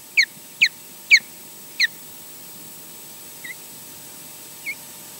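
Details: Osprey at a nest during a changeover, with the male flying in and out and mating: four sharp, high, downward-slurred whistled chirps in two seconds, then two faint short notes over a steady low hum.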